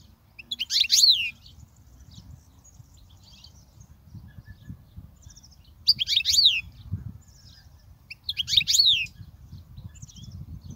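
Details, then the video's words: European goldfinch song intended to teach fledgling goldfinches: three short bursts of tinkling, high twitters with downward-sweeping notes, spaced a few seconds apart, separated by quiet stretches with soft low background noise. "تغريد الحسون"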